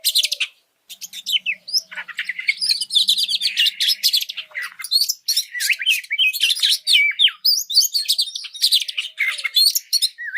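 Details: Oriental magpie-robin singing, played to provoke and train other birds: a long, unbroken medley of bright whistles, rising slurs and buzzy chattering notes after a short opening pause.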